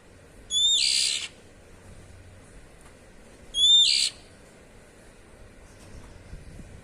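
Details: Oriental magpie-robin (kacer), ngeplong style, giving two harsh, hissing 'cier' calls about three seconds apart, each opening with a brief high whistle, against faint background noise.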